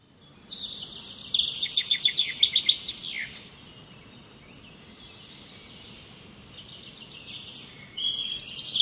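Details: Birds singing outdoors: a bright, high trill of rapid pulsed notes ending in a downward slur, then quieter thin whistles, and a new burst of song at the very end.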